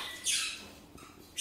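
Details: Pet blue-and-yellow macaw coaxed indoors by a person urging it to say hello: a short, harsh, hissing squawk, followed by a brief pause and the onset of a second raspy screech.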